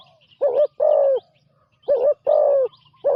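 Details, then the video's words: Spotted dove, a newly trained bird on its first training outing as a ground decoy, gives loud hoarse cooing phrases in two bursts of two notes each, about a second and a half apart, with faint bird chirps and a low hum behind. "นกเขาใหญ่ต่อดิน ฝึกนกใหม่ออกฝึกครั้งแรกพอได้ยินเสียง"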